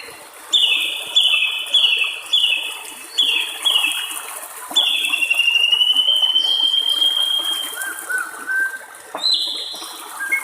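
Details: White-rumped shama singing in the wild, a series of clear whistled notes around mid-high pitch, then a long drawn-out rising-falling whistle and further scattered phrases, with the soft trickle of flowing water underneath.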